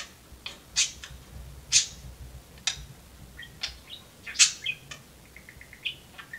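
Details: Pet talking budgerigar kept indoors in a cage, playing on perches alongside a second budgie; loud sharp chirps and short high warbled notes come at irregular intervals, with quieter chatter between them.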